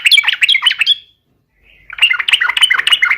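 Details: Trucukan, the yellow-vented bulbul, delivering a rival-provoking fighting song: dense, jumbled chattering and warbled notes in two bursts, broken by a brief pause, with faint low rumbling beneath the second burst.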